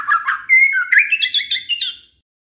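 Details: Lure song of a White-rumped shama meant to provoke other shamas into answering: a fast, rich warble opening with low chatter, then rising, looping whistles that climb higher before fading out.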